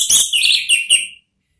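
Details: Orange-headed thrush ngeplong therapy song for luring a thrush to answer: four quick loud, rich phrases with downward-sliding notes that fade out into silence.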